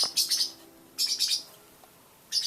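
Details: Three young blue parrotlets, just over a month old and fledging indoors, give three quick bursts of high, thin chirps, each a rapid cluster of tweets, spaced about a second apart.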